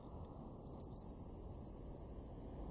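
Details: Blue tit, a garden bird in Weener, East Frisia, far northwest Germany, February 2024: a high thin note followed by a quick double sharp accent, then a long trilled high series sinking slightly in pitch, repeated rapidly.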